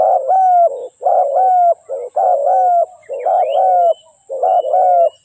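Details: Steady spotted dove cooing: overlapping short and long low coos repeated about once a second, forming a rolling, rhythmic pattern. Faint high chirps of another bird appear midway.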